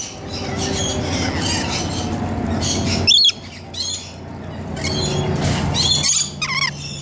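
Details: Several rainbow lorikeets taking a bath, giving harsh, shrill screeches in overlapping bursts, with a sharp high squawk near the middle and another near the end, over a steady low mechanical hum.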